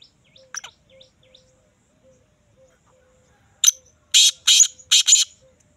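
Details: Black francolin (kala teetar) with a few faint scratchy notes and a soft steady tone, then a loud grating phrase of about four rasping bursts delivered in quick rhythm.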